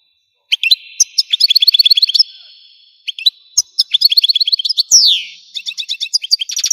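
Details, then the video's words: Lively Algerian goldfinch song: several runs of quick, bright repeated notes, one closing with a steep descending slur, then high, fast twittering that continues to the end. "تغريد الحسون قمة الابداع ! حسون جزائري"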